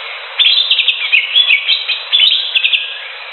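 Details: Wild greater green leafbird singing a rapid run of bright, chirping and warbled notes with quick upward and downward slurs, in two busy bursts over steady background hiss.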